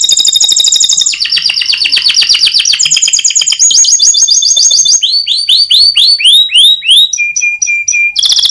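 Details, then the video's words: Canary with competition-winning song, used as a training master for other birds, in 2022: varied rapid trills in successive tours, fast repeated rolling notes, a run of swooping downslurred notes, then a steady high tone, loud and continuous. "Masteran Kenari Juara Lomba"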